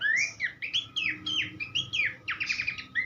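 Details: Horsfield's babbler, in a master recording for teaching songbirds, gives clear downslurred and upslurred whistles one after another, ending with a quick rattling trill burst and a final whistle.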